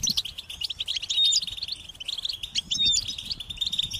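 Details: Goldfinch chicks calling to be fed: rapid, high twittering and chirps run on continuously, with occasional clear whistled notes standing out above the chatter.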